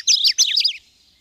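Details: Short Subalpine warbler (Sylvia cantillans) song: two brief bursts of scratchy, high, jumbled notes within about a second.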